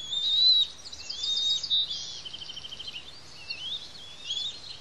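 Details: Hungry bald eagle chicks on a Santa Cruz Island nest calling during feeding; a loud thin whistle opens, then softer rapid quavering squeals and chattering notes blend together, fading lower in volume.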